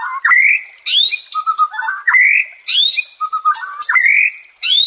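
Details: White-rumped shama singing, used as therapy to restore a stressed bird's fighting spirit: loud rising whistles that swoop upward, mixed with lower fluttering notes and high sharp accents, in repeated phrases about every second.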